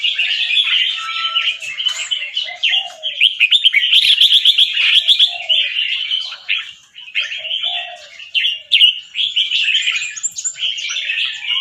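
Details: Caged fancy red-whiskered bulbul, an albino white bird with red eyes, from Chonburi, Thailand, bred on a competition line. It sings a continuous, rapid stream of bright, warbling, chopped notes in a doubled, trilling style, with quick rhythmic bursts throughout.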